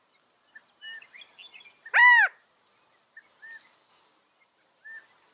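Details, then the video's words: California quail giving a single loud, arched, harmonic-rich call lasting about a third of a second, surrounded by faint high chirps and soft twittering from other small birds. "California Quail | کیلیفورنیا بٹیر | Qauil Sounds"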